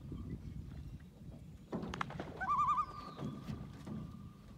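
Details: Loon at a lodge lake, a mother driving two invaders off her lake; after a knock and rustle, one short quavering tremolo rising into a long steady held note, with faint murmuring and water sounds.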